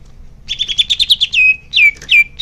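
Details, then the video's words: Greater green leafbird song, intended to get caged birds singing: a rapid trill of about ten bright notes followed by two long downward-sweeping whistles. "Suara Cucak Hijau Biar cepat gancor"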